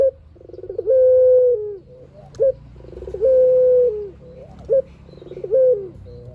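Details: Spotted dove singing loudly with long phrases, played to draw answering doves: three cycles of a clipped rising note, buzzy pulsed build-up and sustained flat coo, against a quiet low hum.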